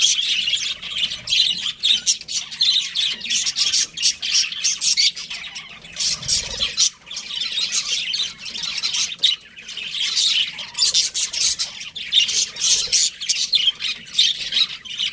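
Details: A breeding pair of pet budgerigars chattering continuously: busy, scratchy, high chirping and squawking with rapid clicks, rising and falling in loudness over a long stretch.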